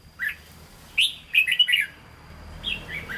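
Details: Hue-style singing by a caged red-whiskered bulbul from Vietnam: a single rising note, then a rapid cluster of bright chirpy whistles, and a softer falling phrase at the end, with a thin constant high-pitched whine behind.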